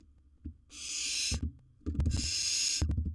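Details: Two long, rasping hisses from a wild barn owl in its nest box as it swallows a large prey item, with low knocking and shuffling sounds before and between them.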